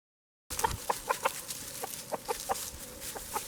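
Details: French Black Copper Marans rooster clucking to call his hens to food, thrown pumpkin insides: quick series of short, low clucks, several per second, over a noisy outdoor background.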